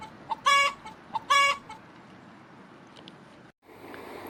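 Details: Hen giving two loud, nasal, squawking clucks about a second apart, each preceded by a soft short note, over a steady background hiss.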